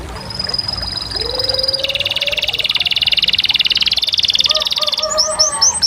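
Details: Canary singing a long high whistled trill, then a lower, rapidly pulsed rolling phrase, ending with a few short chirpy notes and lower warbled tones.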